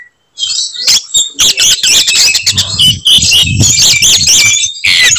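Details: Provocative fighting song of an Oriental magpie-robin: after a short silence, a fast stream of scratchy chattering and high whistled phrases, with low thumping knocks underneath.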